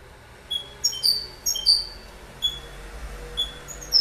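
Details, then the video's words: A goldfinch twitters in short, bright, high notes, scattered in quick bursts of two or three chirps against a quiet background. "Goldfinch Bird Sound"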